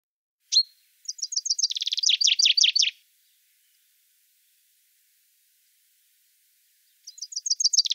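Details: Common chaffinch (Fringilla coelebs) singing in the Wittlich valley, Germany, 2018: a bright, accelerating rattle of high notes descending into buzzy phrases, about two seconds long, then starting again.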